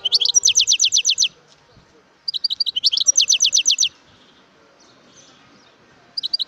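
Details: Wild European goldfinch singing: two bursts of rapid, high, downward-sweeping notes, repeated like a bright trill, each lasting over a second, with short pauses between bursts and a third burst starting at the end.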